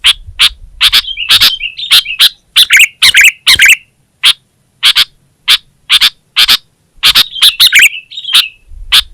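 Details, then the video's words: Gacor song of a sooty-headed bulbul (kutilang) for Indonesian songbird-training masteran: sharp clicking chips separate short bursts of slurred, bubbly whistles, with a final warbled phrase near the end. "Suara Burung Kutilang Gacor"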